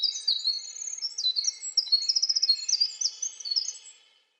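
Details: Winter wren song: a long, rapid, tumbling cascade of high, bright trills and twittering notes, sweeping up and down without pause for about four seconds, then fading; no other sounds.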